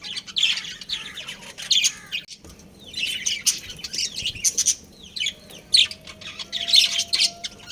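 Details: A pet budgerigar breeding pair chirping: bouts of squeaky, down-slurred calls and warbled chatter separated by short gaps, with a near-silent pause before the second half.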